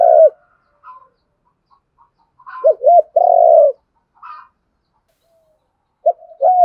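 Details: Spotted dove calls, male and female, used to stir a wild-caught dove into fighting: low, hoarse coos in short bursts, a quick double coo then a longer drawn coo, separated by several seconds of quiet and faint softer notes.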